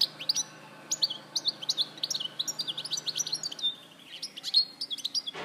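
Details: Recorded at Larache in 2014, a European goldfinch sings continuous high twittering phrases of ringing chirps and quick liquid trills, ending in a clustered flourish.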